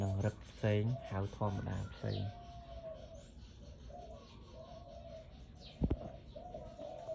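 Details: Loud-voiced Malay dove kept by its owner: after a man's voice fades, a series of steady, mid-pitched tonal coos follows, each held about half a second with short gaps, over a faint background hiss and one sharp knock.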